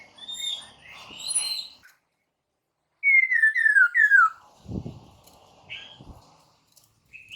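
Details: Lure song of a white-crested laughingthrush for setting off caged birds: soft warbling, then four loud descending slurred whistles in quick succession, a thud, and a short higher note.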